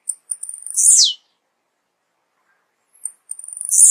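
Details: Tiziu, the blue-black grassquit, singing twice: each phrase opens with quick high clicks that run into a loud, wheezy, falling buzz, the two phrases about two seconds apart with silence between.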